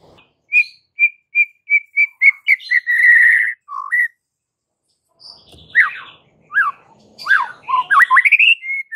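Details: White-rumped shama (murai batu) masteran: a steady row of short repeated whistled notes quickening into a trill and a long warbling note, then after a pause a varied burst of swooping whistles.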